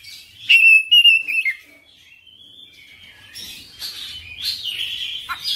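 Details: Oriental magpie-robin singing persistently and displaying its full repertoire: a loud burst of clear, high whistled notes with trills for about a second and a half, then softer warbling phrases and rising and falling whistles.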